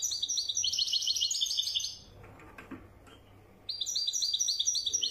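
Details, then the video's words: A European goldfinch sings widani style, fast high trilled twitters for two seconds, a pause of under two seconds, then another run of similar bright, rapid notes. "تغريد لطائر حسون ويداني"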